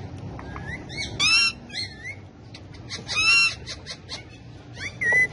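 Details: Several pet parrots perched on a bike, dancing and talking; loud, harsh, layered squawks in bursts about every two seconds, with shorter chattering notes between.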